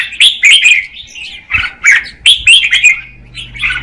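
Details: Female red-whiskered bulbul singing to stimulate the male, with short, lively whistled phrases repeated about every half second to second, and a faint low hum behind.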